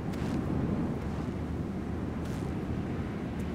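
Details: Low, rumbling wind buffets the microphone, with a few faint hissy gusts and no animal voices.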